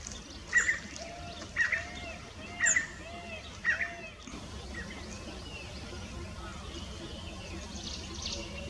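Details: Common iora in bushes in Tamil Nadu, India, giving four short whistled double notes about once a second, then stopping; faint trickling water and background noise throughout.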